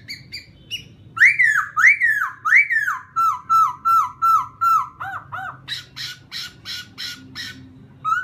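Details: Song of a laughingthrush used to provoke a rival bird: a few soft notes, then loud arched whistles, a series of level whistled notes, and a closing run of short, buzzy repeated chips.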